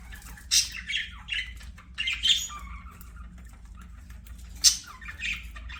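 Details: Budgerigars at play, singing in a soft, broken way: a handful of short scratchy squawks and chirps spaced irregularly over several seconds, with quieter stretches and a steady low hum.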